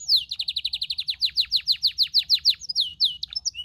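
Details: A canary sings a quick string of descending chirps that slow and lengthen into louder swoops, finishing with a few short whistled notes.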